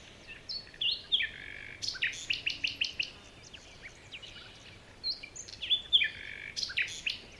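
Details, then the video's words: Forest birds in the morning give clusters of high twittering and chattering notes in two bursts, with short whistled slurs between, against a faint steady hiss. "Morning birds chirping sounds"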